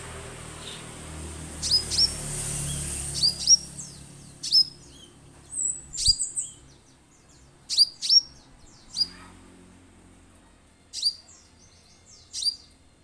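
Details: Orange-headed thrush played as a lure to set birds singing: bright, high, downward-sliding notes in quick pairs and triplets, spaced one to two seconds apart, over a faint hiss at the start.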